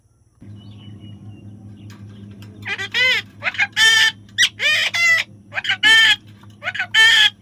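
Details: Baby parrot squawks repeatedly after a quiet start, a rapid run of loud, harsh, harmonic calls of varying length, some clustered in pairs, with a constant low hum in the background.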